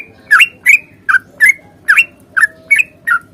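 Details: Trucukan, the yellow-vented bulbul, in a fighting-style 'ropel' song meant to trigger other bulbuls to sing. Eight sharp, slurred chattering notes, each dropping slightly in pitch, at a steady pace of about two per second over a low hum.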